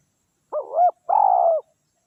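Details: Spotted dove (tekukur) used as a decoy to lure wild doves, giving one two-part coo: a short, wavering, rising note, then a longer, steady, purring coo that falls slightly at the end. The background is quiet.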